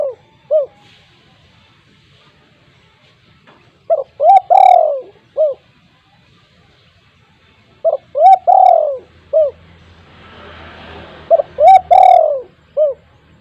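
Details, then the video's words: Loud spotted dove used as a lure, cooing in a steady series: short hoots building to a drawn-out falling note followed by a lone short coo, repeated about every four seconds; brief hiss in the background. "tekukur gacor suara besar untuk pancingan tekukur bahan"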